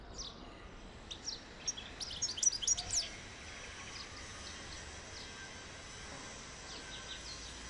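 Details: European goldfinch singing to encourage mating: a quick burst of high, tinkling twitters and short sweeping notes packed into a few seconds, then fading to scattered faint chirps over a steady background hiss.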